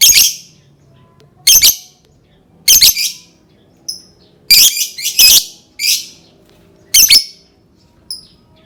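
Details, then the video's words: Lovebird song used to prompt other lovebirds to sing: loud harsh high screeches in bursts about every second or so, interspersed with short thin tones, against a quiet background. "Suara burung lovebird cocok banget untuk pancing lovebird berbunyi"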